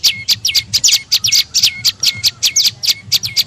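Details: Tailorbird lure call (prenjak lumut) used to pull in birds: sharp, high doubled chirps with falling tails, repeated in quick uneven bursts.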